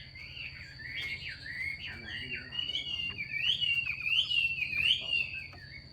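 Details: Female Chinese hwamei calling to stimulate males to sing: a continuous run of loud, warbling whistled phrases that rise and fall rapidly over six seconds, over a steady high electronic whine and a low background hum.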